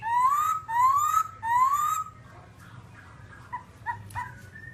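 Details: Babbler whistling three loud rising slurs, each about half a second long, followed by quieter scattered short notes and a low hum in the background.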